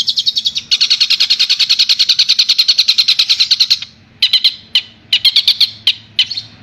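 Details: A Madura long-tailed shrike pours out a fast, harsh, high chatter of even notes for about three seconds, then breaks into short scratchy bursts.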